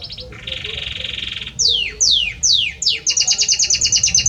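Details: Male Belgian canary singing for his female, with a high buzz, a sustained rolling trill, four loud descending whistled swoops, and a rapid run of clipped repeated notes.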